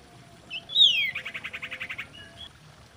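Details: Female common iora calling during mating: a sliding high whistle opens into a quick even trill of about ten buzzy notes, ending in two soft short whistles.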